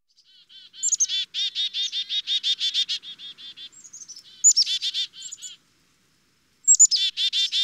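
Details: Black-capped chickadee giving three bouts of chick-a-dee calls: a thin, high introductory note or two followed by runs of harsh, buzzy 'dee' notes, each bout separated by short pauses, with a quiet background.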